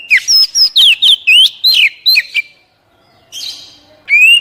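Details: Oriental magpie-robin singing, a recording meant to stimulate raw wild-caught captive birds into song: a dense string of swooping whistles and chips over two seconds, a brief harsh burst after a pause, then one rising whistle.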